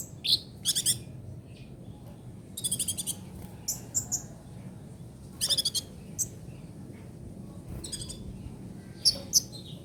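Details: Rapid trotol song of a kolibri ninja, the brown-throated sunbird, recorded to tutor songbirds: fast high trilled bursts alternating with single sharp chips, spread across about ten seconds.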